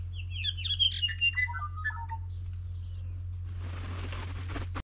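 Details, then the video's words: Tūī in a pursuit, squabbling with another over access to flax (harakeke) flowers despite plenty to feed on; a quick cascade of chirpy, whistled notes falls steadily in pitch over two seconds, then a burst of broadband rustling, over a steady low hum. "Tui pursuit while fighting over access to flax flowers"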